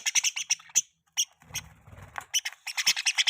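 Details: Pet budgie gives quick series of sharp, high, clipped chirps in uneven runs, with a brief lull and faint low rumble midway before the rapid chirping resumes.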